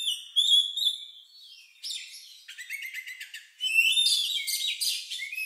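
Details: An Oriental magpie-robin with an odd, lovebird-like song, used as a lure to get other birds singing. A clear sustained whistle gives way to rapid buzzy trills and chattering notes, then a loud, varied twittering phrase.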